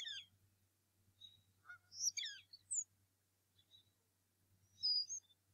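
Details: Recorded at the Decorah North Nest in March 2018 as a determined male bald eagle confronts an intruder in the morning. Clusters of high squeaky chirps come in bursts, then one clear whistled note near the end.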